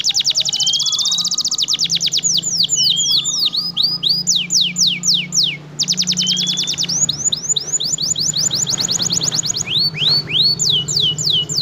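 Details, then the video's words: Canary of F1 type, persistent singer kept as a model for other birds: long sequences of rapid descending high trills, rising swept notes and short buzzy bursts, nearly continuous, above a low steady hum. "kenari f1sf gacor ngotot cocok untuk masteran"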